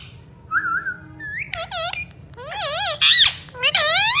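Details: Indian ringneck parakeet gives a soft whistled wobble, then breaks into rapid nasal word-like phrases with wavy, rising and falling tones. The phrases grow louder and harsher toward the end.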